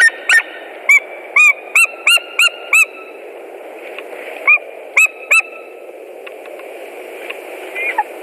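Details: A white-tailed eagle calls at its nest in Latvia, 17 March 2018, near a mating attempt: a run of ringing, slightly downslurred yelps, a pause, a few more yelps, then quiet with faint distant notes.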